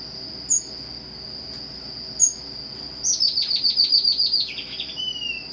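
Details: Red avadavat, also called strawberry finch, singing: two thin high chirps, then a rapid rattling trill of about a dozen notes that slides down into a drawn-out whistle, over a constant shrill background tone.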